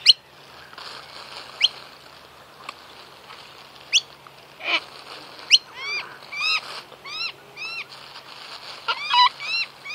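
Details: Sulphur-crested cockatoo giving a rapid series of loud, arched, ringing calls that speed up in the second half, mixed with sharp snapping clicks, over a faint steady background hum.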